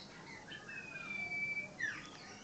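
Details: Common iora singing a long, steady, high whistle held for about a second, then a quick bright downslurred note, with soft background hiss.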